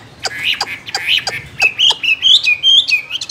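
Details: Caged Chinese hwamei singing: a quick run of varied bright whistled notes, some sliding up and down, mixed with sharp clicking ticks, roughly two elements per second and growing steadily louder.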